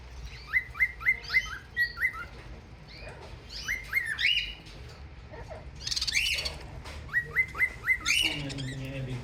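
Budgerigars chirp in quick bright bursts, with scratchy warbled chatter between the calls.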